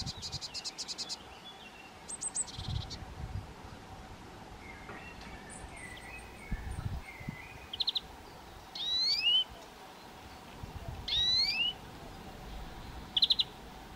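Eurasian nuthatch giving sharp, high calls and a few loud rising-falling whistled notes, with a rapid ticking series near the start and quiet woodland background.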